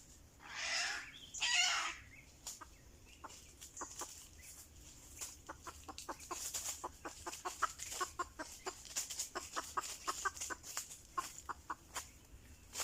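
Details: Two harsh, noisy bursts from a red junglefowl lured by a decoy open the recording. A long series of sharp, irregular clicks and taps follows.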